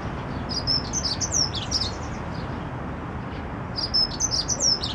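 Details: A Dunnock in the garden of Notre-Dame de Paris cathedral sings two rapid, high, thin warbling phrases, each under two seconds, over a steady low hum of city noise.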